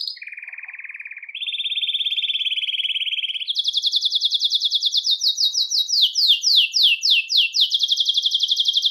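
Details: Belgian canary singing to attract and call canaries: a low buzzy trill, a rising step to a faster roll, then a high loud trill mixed with sweeping descending chirps.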